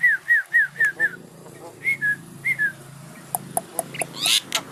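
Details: Asian pied starling nodding as it calls, giving a quick series of five downslurred whistles, then paired whistled phrases and a few sharp clicks, over a steady low background hum.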